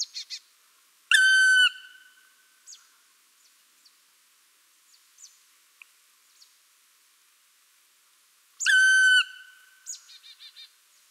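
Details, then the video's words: Black Woodpecker giving two long, plaintive, slightly falling nasal notes about seven seconds apart, with faint ticks and short chirps between. "Black Woodpecker"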